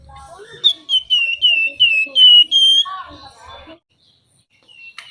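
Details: Flamboyan songbird singing lively, flute-like whistles. A series of pure whistled notes, each gently dipping in pitch, with a longer final note. Lower chattering notes follow, then near silence.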